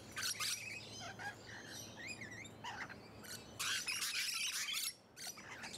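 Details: Musk lorikeets, Hunters Hill, Sydney, Australia, late November or early December 2020: dense, harsh, high screeching in long overlapping bursts, mixed with quick wavering whistles, with a brief pause near the end.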